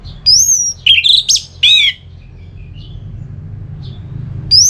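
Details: Orange-headed thrush, known locally as anis merah, its song used to stimulate another bird to sing: a quick burst of high whistles and a buzzy rasping note, a quiet pause, then another high whistle.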